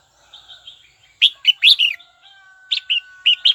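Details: Kept red-whiskered bulbul singing to provoke a rival: a quick cluster of three bright warbled notes, then a steady faint tone, then another run of four short chirpy notes.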